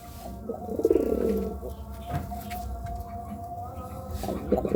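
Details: Courting pigeon gives one low, pulsing coo early, then falls quiet while faint steady tones and a low hum continue in the background.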